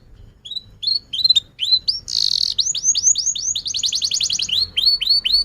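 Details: Domestic canary singing, used to prompt young canaries to learn and silent canaries to sing: rising whistled notes, a short buzzy burst, then a fast rapid trill of upswept chirps and more rising whistles.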